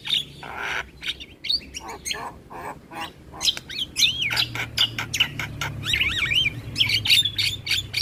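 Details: Asian pied starling song played in the morning as a model for young birds to learn, with varied whistled and looping notes among harsh clicks and rasping bursts.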